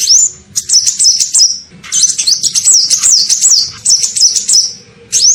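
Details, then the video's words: Olive-backed sunbird (kolibri ninja) calling to lure birds in: an upswept whistle, then long, continuous high-pitched twittering of rapid up-and-down notes, ending with another rising whistle. "SUARA PIKAT KOLIBRI NINJA"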